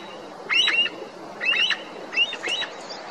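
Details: Himalayan Snow Partridge in a high-altitude meadow of the Srikantha valley, upper Garhwal Himalaya, Uttarakhand, below a snow tongue above the tree-line: three bursts of piercing, harmonically rich squeals about a second apart, over a steady background hiss.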